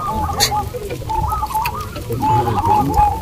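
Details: Local zebra doves at a singing contest at Bukit Mengger, Sindet, Trimulyo, Bantul, Yogyakarta. Several birds give overlapping soft, rolling coos and short trilled phrases, with a steady low rumble and crowd noise beneath.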